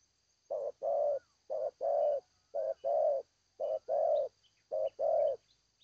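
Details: Cooing spotted dove repeating a steady phrase about five times: a short low note followed by a longer, fuller coo, each phrase roughly a second apart, with faint high chirps from other small birds behind.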